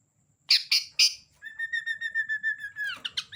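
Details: Sooty-headed bulbul in full song: three sharp chirps followed by a long steady trilled whistle, ending in quick descending chirpy notes.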